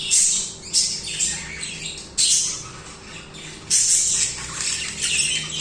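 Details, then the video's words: Budgies singing continuously, loud scratchy bursts starting abruptly about every one to two seconds, fading into softer chattering warbles. "Budgies singing/chirping"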